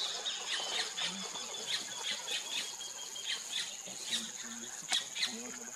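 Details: A White-fronted Woodpecker (Melanerpes cactorum) gives short, sharp high notes in quick, irregular succession over a steady, shrill insect drone, with faint low clucking in the background.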